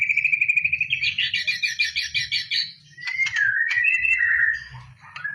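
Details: Contest-training song of a white-rumped shama: a rapid warbling trill, then sharp clipped notes and a slurred falling whistle, over a steady low background rumble.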